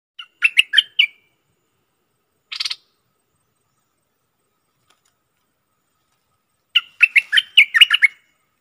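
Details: Bulbul, recorded 24 October 2021 for a phrase-counting song display: two bursts of bright, choppy chirped notes, four at the start and about eight near the end, split by a short rasping buzz and silence.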